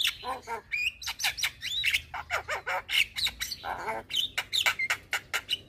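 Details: Javan myna (jalak kebo, white-eyed) chattering loudly to tutor young mynas: dense, throaty wavering notes mixed with whistled slides and harsh strokes in quick succession.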